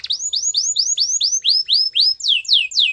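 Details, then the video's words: Canary song: a steady tour of clear, upward-slurred whistled notes at about four per second, switching near the end to louder downward-sweeping slurs. "Canary bird sounds | Your canary will sing a lot"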